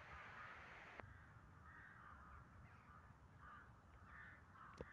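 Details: Hoarse, scratchy jay notes repeated irregularly at a steady volume over constant low background noise, with a brief knock near the start.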